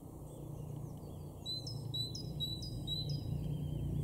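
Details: Great tit singing in a garden at Weener, East Frisia, northwestern Germany, in April 2023: four rhythmic whistled two-note phrases, high then lower, in a short burst over loud low-pitched background rumble.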